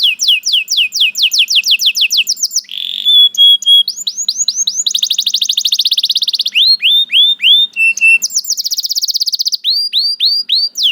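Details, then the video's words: A canary sings a long varied phrase of sharp descending chirps in quick series, a buzzy note, fast rolling trills and rising whistled swoops, one tour following another without pause. "The Lazy Canary Sounds Immediately After Hearing the Sound of the Canary This One || Voice of Canary"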